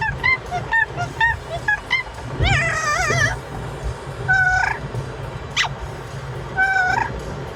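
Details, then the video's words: Pet parrot singing in a car: quick repeated short chirps, then a loud trilled warble and a few rising whistled calls spaced apart, with low car noise throughout. "Parrot singing and making noise in car"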